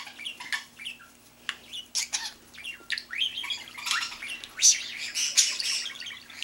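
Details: Talkative pet budgie indoors; loud, rapid warbling chatter of sharp squeaks, scratchy bursts and rising whistles, with harsher high notes in the second half.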